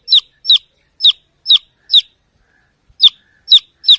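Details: Lone baby chick peeping for the mother hen: clean, piercing, downward-slurred notes spaced about half a second apart, a brief gap, then three more.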